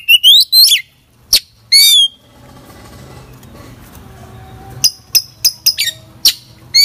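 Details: Oriental magpie-robin (kacer) singing vigorously in full isian style: loud, sharp whistled phrases and rapid slurred notes in bursts, a quiet two-second gap with low hum, then clipped high chips and whistles resume.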